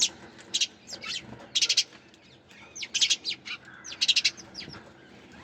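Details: Sparrows give short groups of rapid, high chirps, roughly one cluster every second, separated by quieter pauses with soft background noise.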